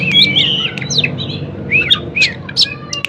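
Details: Singing white-rumped shama, played to stimulate other shamas into answering: slurred rising and falling whistles mixed with harsh squawky notes and sharp ticks, in short bursts separated by brief gaps, low hum beneath.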